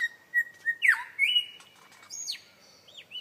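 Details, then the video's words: Beatboxing lyrebird mixing drawn-out level whistles with an abrupt falling swoop, then high clipped whistles and short down-slurred chirps spaced irregularly. "Beat Boxing LyreBird"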